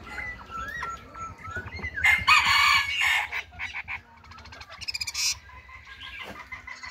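Chinese hwamei singing: clear whistled notes rising and falling, then loud harsh bursts and a quick rattling run of notes.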